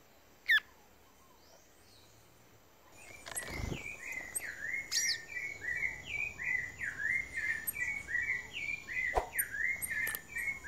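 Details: A male Violaceous Euphonia at a birdfeeder in the Brazilian Atlantic Forest gives a quick, chattering run of short slurred notes, about three a second, with a few knocks and taps.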